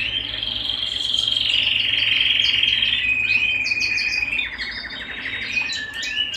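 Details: Canary singing at home: a loud sustained whistled trill held for three seconds, dropping to a lower steady tone, then fast repeated notes and sharp high chirps.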